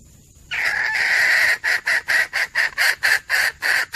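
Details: Hen red junglefowl voice as a hunting lure: one harsh note held for about a second, then roughly eight short raspy clucks repeated quickly and evenly.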